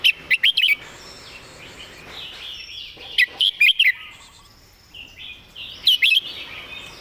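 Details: Caged Red-whiskered bulbul used as a song-tutor bird, delivering clear, well-phrased song: short bursts of bright, warbled whistled notes in three phrases about every three seconds, with a faint thin whistle from another bird in the background.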